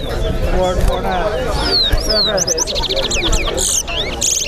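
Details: A chestnut-bellied seed finch (towa towa) sings at a bird singing competition at Lusignan bird ground: clear falling whistles and fast repeated chips over a murmur of voices.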